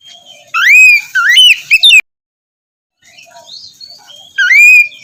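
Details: White-rumped shama morning song used to coax a reluctant bird into singing: loud whistled phrases with rising and falling slurs, two bursts separated by a pause, faint twittering between.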